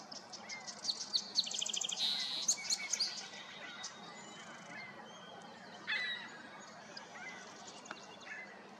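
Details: Bald eagles gathering in a large group in trees at Julia Butler Hansen National Wildlife Refuge, Washington, on 18 March 2024: high, thin piping notes in chattering bursts, one sharp call near six seconds, and steady outdoor background noise.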